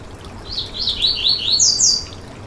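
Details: Yellow-bellied seedeater (coleiro baiano) song used to warm up and stimulate a kept bird: a quick run of about six sliding whistled notes that climbs into a brighter, higher buzzy ending, over a soft hiss.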